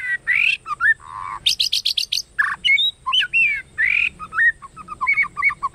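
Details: White-rumped shama in a provoking fighting song, 'kéo thuốc lào' style: rich rising buzzy whistles, a low burred note, a rapid run of sharp high chips, hooked slurs and a closing string of short repeated notes.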